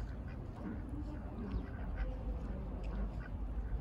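Domestic ducks give short, nasal quacks about every half second over a steady low rumble, with possible goose honks and voices mixed in.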